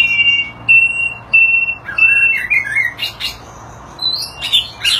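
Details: Displaying white-rumped shama gives repeated flat whistled notes, then slurred downward phrases, sharp broadband chips and a high rising whistle, delivered in uneven bursts about every second.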